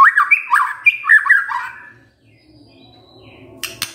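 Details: White-rumped shama lure song meant to provoke a silent male into singing: a rapid burst of fluid, warbling whistles that rise and fall, fading after under two seconds into near silence, then a faint sharp click.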